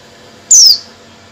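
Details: A female Oriental white-eye calling to males gives a single thin, very high note that slides quickly downward and lasts about a quarter second, against a faint background hiss.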